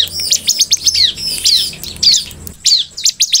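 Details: Bar-winged prinia (ciblek) in full 'gacor' song, meant to make other ciblek respond: bright, high, sharply down-slurred chirps in quick bursts, roughly every half second, with a brief pause near the end.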